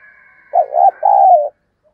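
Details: Decoy spotted dove calling intensely: one low phrase of a trembling coo then a longer even coo fading downward, with a thin high background tone before it.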